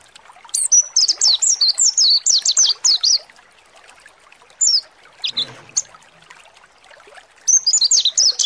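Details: Mountain white-eye provoked to sing, kept as a caged songbird; a rapid burst of high sliding chirps, a pause with a few isolated notes and a brief rustle, then the quick chirping resumes.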